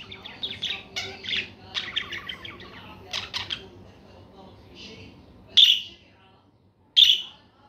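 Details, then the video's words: Budgerigar twittering: a busy, scratchy warble of rapid chattering notes for about five seconds, then two loud, clipped chirps spaced over a second apart. "صوت التغريد الأصلي لطائر البادجي"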